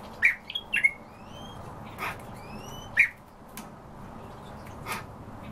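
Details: European bee-eater calls: a cluster of rolled, purring notes opening the recording and a single burry note near three seconds, with thin rising whistles from another bird and scattered sharp clicks between them.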